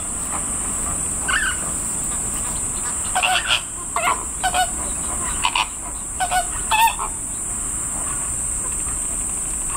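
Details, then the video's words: Greater flamingo chick calling loudly at a zoo in Kyoto, Japan, its voice different from the adults'; recorded 19 July 2024. Short nasal honking calls in scattered bursts, some paired, over steady background noise and a constant high hiss. "フラミンゴ ヒナの鳴き声"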